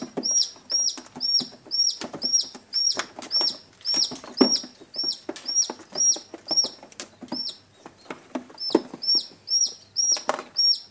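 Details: White greater rhea chicks, aged 11 days and 1 day, give high, thin whistled peeps that dip in pitch, overlapping at about two per second, with rustling and scuffling noises in between.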